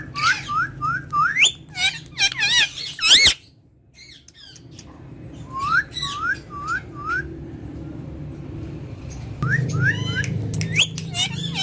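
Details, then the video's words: Talking rose-ringed parakeet, kept as a pet and addressed in Urdu or Hindi, mixes rising chirps with warbled speech-like phrases, pauses, then repeats series of four upward chirps and more chatter over a low hum. "Ringneck Talking Parrot Speaking Face To Face In Urdu Hindi"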